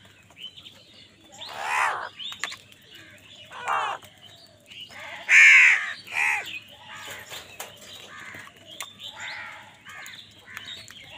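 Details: Crows fight other wild birds for food with a busy mix of overlapping caws. The calls are harsh and varied, rising and falling in loudness, with one strong caw in the middle.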